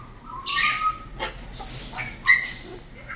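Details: Cockatoo giving harsh, raspy squawks, with a short level whistled tone and brief higher chirps mixed in, in bursts over about three seconds.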